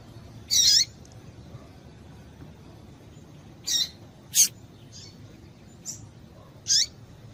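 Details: Female double-collared seedeater calling to excite males: a handful of brief, piercing high chips, one longer note near the start, then sparse single notes roughly every second or two.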